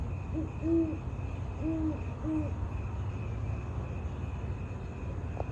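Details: Great horned owls recorded in Sierra Madre, California, October 13, 2023: a run of three low, slightly bent hoots in the first two and a half seconds, then stillness, with a steady low hum and high insect drone.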